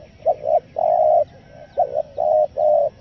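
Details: Spotted dove calling in the stuttering 'selang gagap' style used to lure wild doves: two short clipped coos, then a long sustained coo, the pattern repeated over low background noise.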